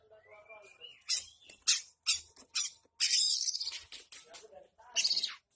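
An oriental magpie-robin opens with a thin rising whistle, then gives a run of harsh, scratchy, buzzy bursts copying a long-tailed shrike, each about half a second.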